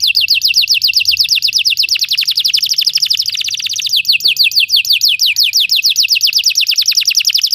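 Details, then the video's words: Unbroken Belgian canary trill: bright, fast, evenly repeated descending notes pouring out continuously without a pause. "Belgian canary singing makes your canary sing"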